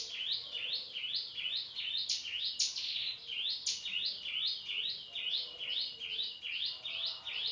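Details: Male hill prinia, known locally as cigun or prenjak gunung, in 'nembak' shooting-style song with 'isian cisem' fill. High upslurred chirps tumble out roughly two or more per second in an unbroken rapid chain.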